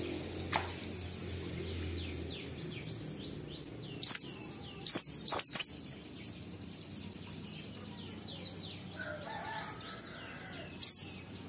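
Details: Ngalas-style Oriental white-eye song used to coax captive birds into singing: scattered soft high twitters with a few loud, piercing downslurred whistles, singly and in short clusters, spread over eleven seconds.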